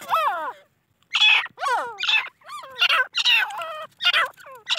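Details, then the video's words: Captive crossbred grey francolin chicks from a Deccani hen and Iranian cock, calling in harsh, falling squeals and chattering bursts, several birds overlapping, short pauses between groups of notes. "تیتر کی اواز"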